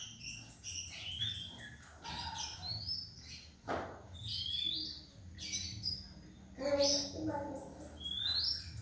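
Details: A young white-rumped shama learning to sing gives soft, scattered whistled notes and rising sweeps with irregular pauses. A steady low hum and a brief thump sound in the background.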